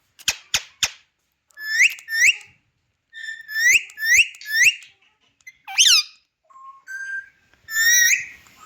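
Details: Pet Indian ringneck parakeet, known too as Kashmiri green parrot, indoors. Three quick clicks, then series of bright rising harmonic calls, a harsh descending squawk near six seconds, a short low whistle, and a final loud rising call.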